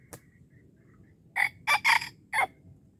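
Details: Wild red junglefowl crowing during a lure session at Darul Kamal, Aceh: after a faint early note, four loud, harsh, broadband bursts follow in quick succession, the third longest, within about one second over a low background hum.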